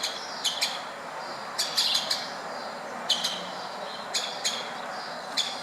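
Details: At a window in Berceni, Bucharest, Romania, woodpeckers give abrupt, high kik calls in loose pairs and triplets, roughly every second, with background hiss.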